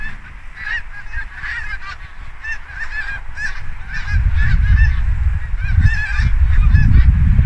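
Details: Mixed wild flock of Canada geese and Snow geese gathering for autumn migration in Quebec, Canada, October 2022, as the ground freezes at night; dense overlapping nasal honks from many birds, with a growing low rumble of wind from midway.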